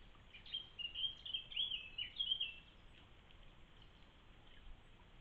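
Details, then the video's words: A Eurasian blackcap in song, heard while a pigeon drinks, gives a quick, rambling warble of high chattering notes lasting about two seconds, then falls silent over a faint hiss of background noise. "blackcap in song"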